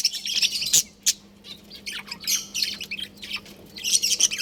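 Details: Pet budgerigars in a colony giving bursts of squeaky chirps and twittering warbles, with a sharp click-like note near one second and quieter gaps between flurries; low background hum.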